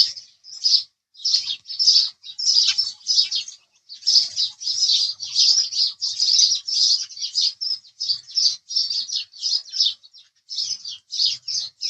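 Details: House sparrow giving a steady series of short, sharp chirps, roughly two per second and about twenty in all, each note clipped and slightly harsh.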